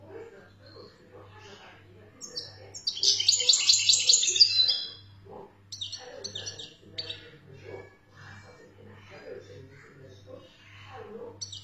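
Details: Algerian European goldfinch song, opening with scattered high notes, then a loud two-second run of fast, jangling twitters, followed by sparse chirps and clicks, with a constant low pulsing hum underneath.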